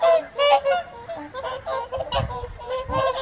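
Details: Whooper swans at the evening feed on the Folly Pond at WWT Caerlaverock in January 2023, seen from the overlooking farmhouse; a dense chorus of bugling, honking calls overlapping throughout, with some low rumbling below.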